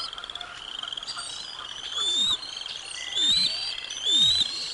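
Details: At Decorah North on 05 06 2022, a bald eagle nest where eaglets receive lunch; ongoing high piping chirps swelling into three louder bursts near the end, with low sweeping rustles.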